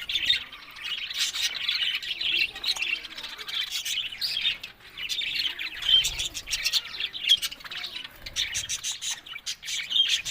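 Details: Budgerigars chatter happily in a busy, steady flock warble of scratchy chirps and sharp high tweets, with loudness swelling and dropping every second or so.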